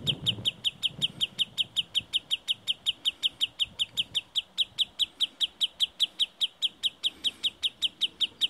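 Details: Sandpiper on hills near Murmansk gives sharp, high piping notes, about four a second in a steady unbroken run, with faint wind behind, while leading away from its nest.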